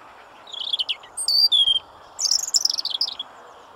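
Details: European robin singing loudly and close: a fast stuttering trill, two clear piercing whistles falling in pitch, then a tumbling cascade of very high tinkling notes, over a quiet background.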